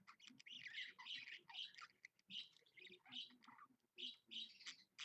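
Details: Budgie kept as a pet, recorded at 7 a.m.: a steady stream of chirpy, scratchy warbling notes in short bursts, rising and falling in loudness, somewhat muffled.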